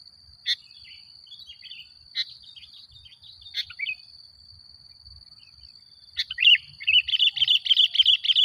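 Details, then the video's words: Sooty-headed bulbul used as a lure to stir up other bulbuls: widely spaced sharp clicks with faint warbles, then a loud burst of rapid chattering notes over the last two seconds, a steady high whine underneath. "Suara Burung Kutilang Gacor Paling Ampuh Untuk Pancingan"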